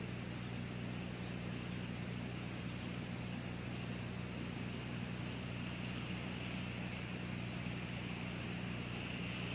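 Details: Steady low engine hum with broadband hiss outdoors, steady throughout, with no clear animal calls.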